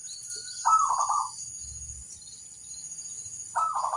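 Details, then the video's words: Local zebra dove master song for calling others to reply: one trilled coo phrase, a pause of two seconds, then the start of another, with low rumbling noise and steady hiss underneath. "suara sang masteran burung perkutut - lokal memanggil"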